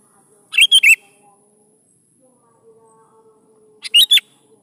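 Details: Sooty-headed bulbul song used to coax young bulbuls to sing: two quick three-note whistled phrases roughly three seconds apart, slurred and lively, with a soft low drone in between.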